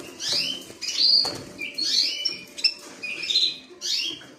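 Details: A creamino canary delivers a rapid run of high whistled syllables, some upward-curving and some flat, in quick succession with little pause, plus a few sharp clicks.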